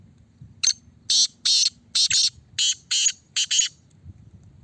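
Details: Caged Black francolin under test calling in harsh, grating bursts, short grouped notes at a quick irregular pace, some doubled, over faint low background hum.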